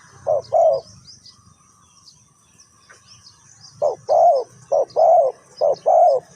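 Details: Spotted dove used as a decoy in bird trapping, Ninh Thuận: a short pair of husky coos, then after a pause a run of paired and drawn-out mellow coos, some blurred by a faint high hiss.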